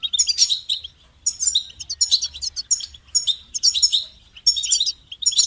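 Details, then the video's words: Goldfinch giving repeated bursts of loud, jingling, high-pitched twittering, each phrase a second or so long, with short gaps between. "Amplifying the Goldfinch's Voice"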